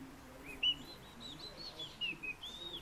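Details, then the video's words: Fieldfare singing softly: a few high, thin whistles and squeaky slurred notes spread across a short, quiet stretch. "Turdus pilaris рябинник"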